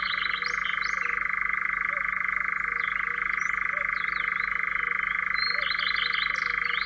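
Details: European Nightjar from Central Russia: a continuous, even, mechanical churring trill runs unbroken through the whole recording, with brief high chirps and twitters from other birds above it.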